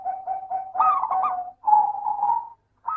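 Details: Zebra dove of a local strain singing, played as a lure for doves reluctant to sing: soft repeated coos leading into a rippling trill, then a steady sustained cooing note.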